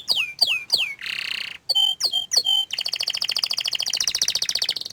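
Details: A canary that hides its face sings three loud down-slurred whistles, a brief buzzy burst, three more clipped notes, then launches into a fast, evenly pulsed high trill.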